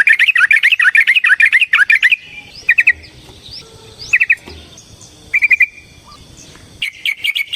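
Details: Yellow-vented bulbul giving a long fighting song meant to provoke another bird into singing: bubbly, rapid chattering phrases, then short doubled chirps separated by pauses, with faint background hiss and other distant thin calls.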